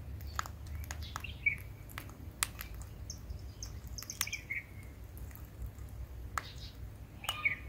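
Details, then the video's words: Parrot eating guava seeds, making soft natural clicking sounds: scattered sharp dry clicks at irregular intervals, with a few faint short chirps, over a steady low rumbling background. "Super Cute Parrot Natural Clicking Sounds"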